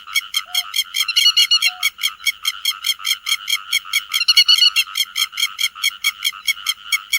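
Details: Grey-headed lapwing calling the flock, used as a lure recording: harsh, buzzy, harmonic-rich notes repeated rapidly and steadily, about two per second, with a brief pure whistled tone twice near the start.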